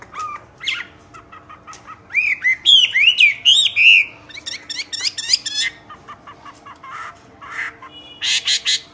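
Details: Common hill myna in strong song: scattered clicks and short notes, then a burst of loud rising and falling whistles, followed by chattering notes and a final harsh, noisy burst.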